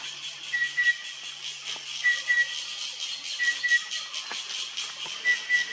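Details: Chestnut-winged cuckoo (Clamator coromandus) in dense canopy at Phulchowki, Godavari, Nepal, April 2022, where it is not a regular sighting, gives thin, paired whistles about every one and a half seconds over a steady hiss of insects.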